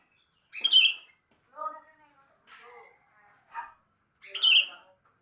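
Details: Morning song of a sooty-headed bulbul: five separate bursts, sharp bright chirps alternating with lower, rich, harmonic whistled notes, each phrase short and spaced about a second apart.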